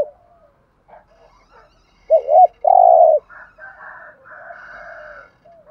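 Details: Spotted dove used as a decoy to attract wild doves gives one loud phrase, a short doubled coo and then a drawn-out, purring coo, followed by softer, higher cooing in the background.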